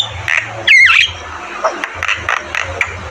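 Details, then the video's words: Javan myna singing actively: one loud twisting whistled swoop, then soft short chirps repeated about every quarter second over a low background hum. "Masteran burung jalak kebo gacor Terbaik"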